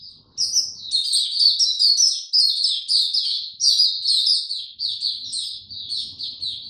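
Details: After a moment of quiet, a kept white-eye launches into a lively run of high, chattering chirps, steady and rapid for about six seconds. Recorded 29 April 2022; the bird is given no supplements.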